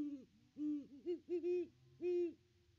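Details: At its nest tree on Christmas, a Great Horned Owl gives a rapid, uneven cluster of about six low, mellow hoots, the final note held longest.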